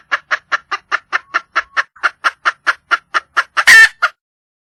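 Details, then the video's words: A wild junglefowl hen seeking a male gives a long, regular train of clipped clucks, about four or five per second, ending in a single loud, raspy squawk. "le bruit d'une poule sauvage,เสียงไก่ป่าร้องหาถู่หาตัวผู้,ສຽງໄກ່ປ່າຮ້ອງຫາຄູ່ຮັກ, poj qaib qus see"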